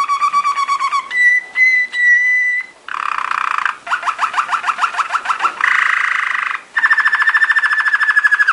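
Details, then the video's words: Belgian Waterslager song canary performing training song: a varied sequence of tours, low rolling trill, flat whistled notes, a bubbling roll, dripping falling notes, then a broad mid roll and a final fast trill. "Belgian Waterslager / Belgian Malinois Waterslager training song vol. 2"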